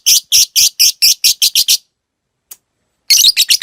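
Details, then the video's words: Caged lovebird giving short 'ngetik' bursts, the clipped chatter that leads into the long song: a string of harsh, high, evenly spaced notes, a pause of over a second, then another quick run. "Masteran Suara Burung Lovebrid Ngetik Ngekek Panjang"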